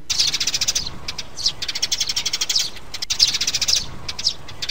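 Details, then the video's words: Sparrows, mother and chicks, recorded as a bird-trapping lure: fast chattering chirps in close-packed series, with occasional louder squeaky notes between runs. "Tiếng bẫy chim sẻ Sẻ mẹ, sẻ con"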